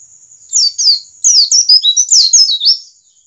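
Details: Wild-type white-eye song used as a trigger for other white-eyes to sing: two high chirps, then a rapid, tumbling phrase of bright descending twitters and warbled notes lasting about two seconds.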